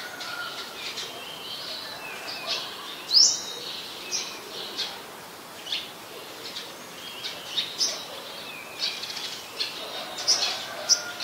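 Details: Olive-backed sunbird, a small nectar-feeding bird common in the Sirinart Rajini centre's mangrove forest in Thailand: one loud, sharp, rising high note, then several fainter similar upslurred notes scattered through the rest of the recording.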